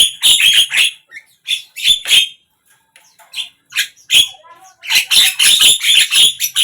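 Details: Javan myna singing in morning, midday and evening sessions: harsh, broadband chattering notes in rapid bursts, grating squawks mixed with clicks, a pause of about two seconds, then a dense run of raspy repeated notes.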